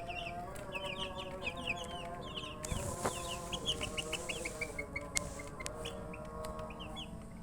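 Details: Chicks thirsty for drinking water call in short high downslurred peeps, in quick runs, broken near the middle by a loud burst of hiss or clatter, over a steady low hum.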